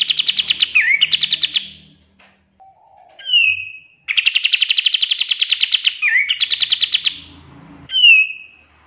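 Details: Pied triller singing fast trills used to train songbirds: trills with dips in pitch, a falling whistle, then a long even trill broken by a twist, ending with another downslurred whistle.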